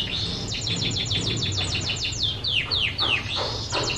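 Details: Canary song used for training other birds to sing: rapid series of high, sharply falling chirps repeated many times a second, then a few slower, longer downward-sweeping notes, over a low steady hum.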